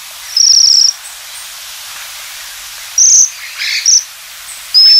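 Japanese Waxwings give thin, very high buzzy trills, each about half a second, in four bursts spaced unevenly. Softer chirps from other birds sound in between.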